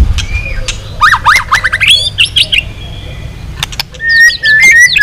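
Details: Long training song of a white-rumped shama, used to stir rival shamas: rising whistled notes in a quick run, then sharp dry clicks and a final burst of bright whistles over low hum.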